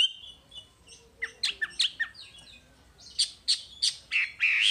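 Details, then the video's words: Wambi masteran recording: scattered sharp high chirps and downward flicks, quieter and irregular, with a faint hiss in the background and a louder chattered burst at the end. "Masteran Wambi paling istimewa full materi"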